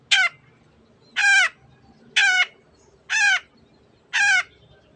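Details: Long-tailed shrike in energetic 'teot teot' singing form, used to provoke other birds into singing: five harsh, buzzy, harmonic notes, each about a quarter second, repeated roughly once a second over faint low background noise.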